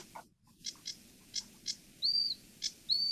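Sedge warbler song: a few harsh, gravelly chips at an uneven pace, then two high, clear whistled notes. There is no other clear sound.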